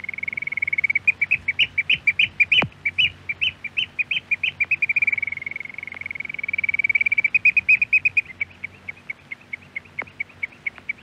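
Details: Eurasian oystercatcher from a Norwegian radio archive recording, an excited piping display: loud shrill notes run together in fast trilling bursts that rise and fall in intensity over eleven seconds.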